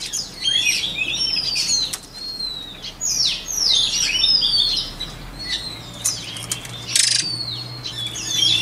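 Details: White-rumped shama training song: repeated bursts of sharp, downward-sweeping whistles and twitters every second or so, with short gaps and light background hiss.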